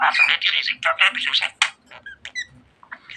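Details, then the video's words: Pet budgerigar's rapid harsh chatter in quick syllable bursts, trailing off into a few thin high clicks and chirps. "Muhabbet Kuşu Çimen Çok Konuşuyor.~Budgie Grass Talks a Lot"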